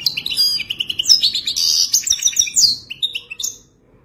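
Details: European goldfinch mating song for training a caged goldfinch: a continuous, fast stream of sparkling twitters, buzzy trills and sliding whistled notes for about three and a half seconds before fading.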